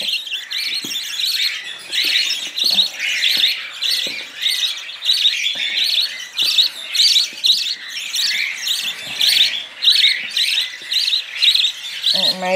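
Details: Hand-fed budgerigar chicks, held by the head while fed baby food by syringe, give a steady run of raspy, hissing begging bursts, roughly a hundred to the minute, with a brief voice at the very end.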